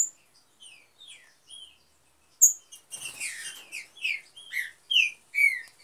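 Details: Green-winged saltators breeding as a pair in an aviary: sparse slurred whistles at first, then a lively stretch of rapid chirps and a brief rustle, ending with loud, bright descending notes.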